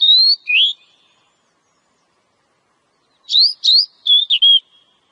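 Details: Oriental magpie-robin from the wild singing the ngobra style: two sliding whistles, a pause, then a quick run of five varied whistled notes, clean background.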